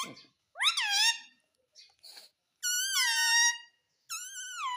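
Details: Talking pet ringneck parrot said to say "mummy", heard indoors: short, nasal, harmonic-rich squawked syllables with rising-then-falling pitch, given in three separate bursts across under five seconds with quiet gaps between.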